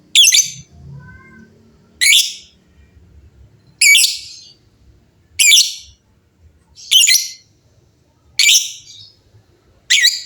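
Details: Lovebirds answering one another with short, harsh, high, buzzy squawks spaced about every 1.5 seconds, with quiet gaps between and faint low background noise.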